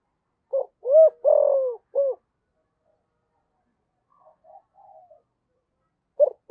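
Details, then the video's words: Spotted dove kept as a decoy, 'giọng thổ' style: one phrase of a quick low note, a rounded coo, a long sinking coo and a clipped final coo, then a pause, faint soft murmurs, and the next phrase beginning. "Chim Cu Mồi// cu gay giong tho cuc dinh"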